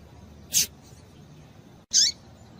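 Two thin, high call notes from a female Rusty-collared seedeater, about a second and a half apart, the second sliding downward, over quiet background hiss.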